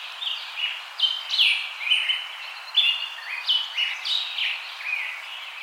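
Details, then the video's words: Several birds singing together outdoors: overlapping sharp descending chirps and short whistled notes at varying high pitches, bursts every half second or so, over a steady hiss of background noise. "Birds singing"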